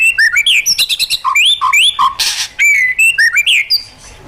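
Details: White-rumped shama pouring out wild-style song meant to stir caged birds into singing: clear fluty whistles, rapid trills, and low mellow notes in fast succession, with one harsh rasping burst midway.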